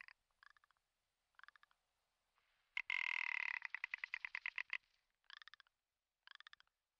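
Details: Commander rock ptarmigan, subspecies Lagopus mutus ridgwayi, during the spring lek season in the Komandorsky Nature Reserve. Short clicking rattles build into a long, loud, grating burst of rapid pulses, then taper back to brief dry rattles.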